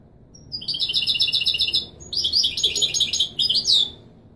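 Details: European goldfinch singing in the authentic Marrakchi Widani style, played for teaching young birds to sing: two bursts of high, bright twittering trills, the second phrase more varied and tumbling, separated by a short pause.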